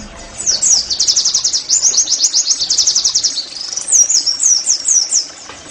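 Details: Oriental white-eye singing in the 'nembak' style for caged-bird training: a high, buzzy, rapid trill of closely packed notes lasting several seconds, followed by separate sweeping whistled notes.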